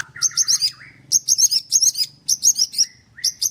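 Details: Murai batu, a white-rumped shama at a Kendal bird farm, delivering 'nembak' song: short bursts of sharp, high chattering notes separated by brief pauses, with a few lower slurred whistles between phrases.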